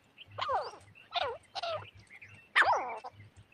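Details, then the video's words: Grey francolin call for hunting lure use: several ringing, sweeping notes, softer at first then one loud sharp note near the end, with a constant low hum in the background. "तीतर की आवाज"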